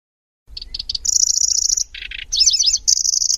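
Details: {'text': 'Lanceolated warbler song, loose grasshopper-like chatter with rolling trills and sharp bursts: three quick chips, a long high buzzy reel, two low harsh pulses, a wavering tangle, and another steady reel.'}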